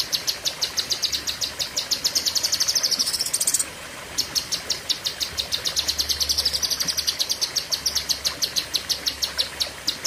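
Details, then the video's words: Lesser green leafbird (cucak kinoi) song in the 'pedes panjang' style, long sharp 'tembakan' bursts: a nearly continuous stream of high, piercing, rapidly repeated chips for ten seconds, with one brief break midway. "Tembakan Ngeri Cucak Kinoi (Pedes Panjang)"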